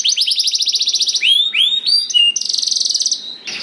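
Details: Canary singing, played as a lure to get other canaries singing: fast buzzy trills, then sweeping downward whistled notes and high tinkling phrases, ending in another rapid rattling trill.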